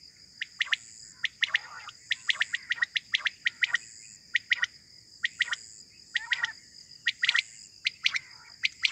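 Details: Quail heard in the morning, a sound used for hunting: steady stream of sharp chirps in small clusters over a noisy background hiss and a continuous high tone.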